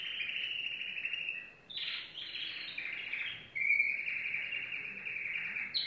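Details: Yellow domestic canary singing: dense, buzzy high trills running almost continuously, a brief rough jumble near two seconds, then a long, steady, bright rolling trill carrying on to the end.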